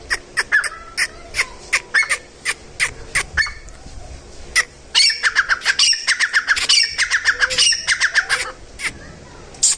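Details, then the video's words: Grey francolin, wild, calling: loud, sharp repeated notes in uneven bursts, shifting into a fast series of strident, ringing syllables in the second half, with a few clicking sounds between. "Jungli Desi Teetar ki awaz | Teetar | Grey Francolin"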